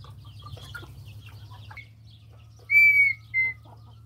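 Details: Faint mixed bird chatter gives way to a loud, drawn-out level whistle and a short echoing second note from a red-winged tinamou (perdiz), with a steady low hum throughout.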